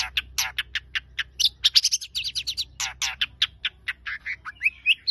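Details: Long-tailed shrike producing a varied stream of raspy chirps and scratchy notes, mixed with thin whistles and short upslurred phrases toward the end, over a soft low hum.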